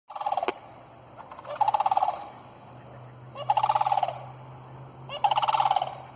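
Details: Sandhill cranes, a flock of about 27 birds, apparently disturbed by a dog: loud rolling, rattling bugles. The calls come in three bursts roughly every two seconds, with a faint low hum underneath.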